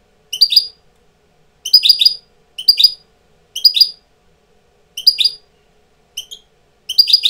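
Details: Tutor European goldfinch coming into breeding condition delivers short separated bursts of high tinkling and buzzy twitters, each about half a second long, spaced irregularly with pauses of up to a second.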